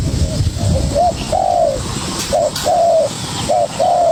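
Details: Spotted dove youngster contesting a decoy, uttering paired coos, a clipped hoot followed by a longer arched one, three pairs in quick succession over low rumble and hiss.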